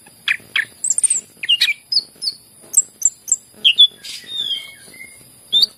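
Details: {'text': 'Greater green leafbird whose song is meant to prompt quiet birds to start singing. Scattered high chirps, squeaky whistles and a few drawn-out lower whistles follow one another with short gaps.'}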